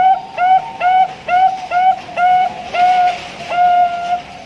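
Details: Bangkok-type zebra dove, farm-bred in Pasuruan, East Java, Indonesia, hatched in August 2023, giving its long-ending song style: eight clear hooked coo notes, evenly spaced, the last ones drawn out longer.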